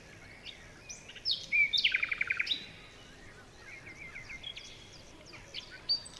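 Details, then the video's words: Birds chirping in a forest in the morning: a quick run of high, rapid chirps forms a short trill, with scattered thin tweets and whistles before and after over a steady hiss of background noise. "Morning birds chirping sounds"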